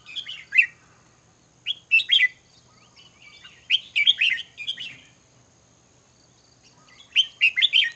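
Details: Red-whiskered bulbul giving brief, lively warbled phrases of two or three slurred, liquid notes, repeated in separate bursts with pauses of a second or more between them, against a quiet background.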